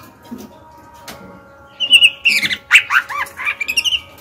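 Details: Female white-rumped shama, a kept songbird, singing to stir males and young birds into song: a quick burst of varied whistled and warbled notes, some dipping and rising, packed into about two seconds after a quiet start.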